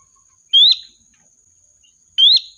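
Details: Two loud, quick upslurred whistles from a sooty-headed bulbul, a lively lure bird meant to draw in the flock, with a continuous thin high tone underneath.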